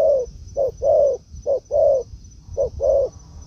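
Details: Spotted dove in a forest where a decoy meets a wild dove: three pairs of mellow low coos, a clipped note then a longer rounded one, separated by short pauses.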